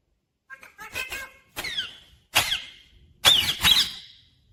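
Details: Pet talking rose-ringed parakeet indoors, said to say mummy and papa; four short harsh, squeaky bursts with sliding tones, spaced about a second apart in a quiet small room.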